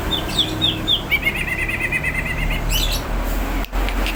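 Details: Greater green leafbird in full song, ready to fight: a few high whistled notes, then a rapid warbling trill lasting over a second, followed by scratchy chatter, with constant low background noise.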